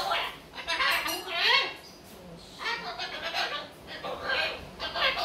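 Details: A pet Moluccan cockatoo (Cacatua moluccensis) talks, mimicking speech in raspy, speech-like bursts of a second or so, with squeaky rising notes between phrases.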